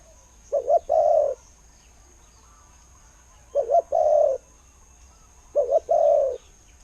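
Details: Spotted dove decoy bird with a "ku-ang" style voice, giving three evenly spaced phrases of two short notes and a long, warm coo, over a quiet background.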